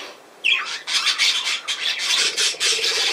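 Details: Budgerigars: a sharp falling squawk, then dense overlapping high scratchy chatter and squeaks that continue to the end.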